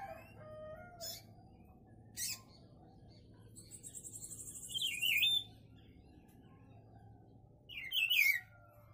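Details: Buffy-fronted seedeater (papa-pimenta) song: two brief, scratchy, wavering phrases about three seconds apart, mixed with sharp clicks, a buzzing high rattle and a constant low hum.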